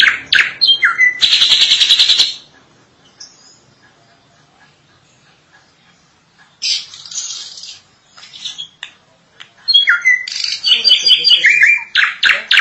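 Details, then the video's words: Drongo in full lively song: a burst of varied chips and a dense buzzy trill, a quiet pause, then a mix of harsh notes, whistles and chattering phrases. "Suara asli burung Srigunting gacor panjang"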